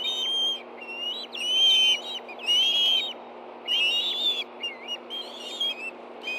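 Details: Montana Osprey nest at Hellgate Canyon, 24 August 2013 around 10:46 a.m., a fish arriving for two hungry birds: piercing, ringing whistles in drawn-out phrases of about half a second, some notes sliding upward, with gaps between bursts.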